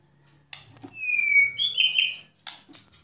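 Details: Short burst of White-rumped shama 'kretekan' and 'tembakan' song, used to provoke other shamas: a clear sliding whistle between sharp clicks.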